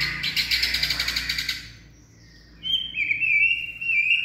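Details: White-rumped shama in peak singing form with a steely voice: a harsh, rapidly pulsed buzzy chatter, then a brief pause, then a long, clear, wavering high whistle.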